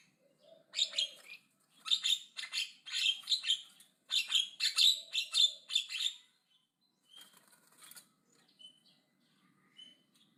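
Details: Javan myna singing aggressively and loudly: a run of harsh, noisy, rasping chatter notes in rapid succession for about four seconds, then a pause and a few scattered quieter clipped notes and thin whistles.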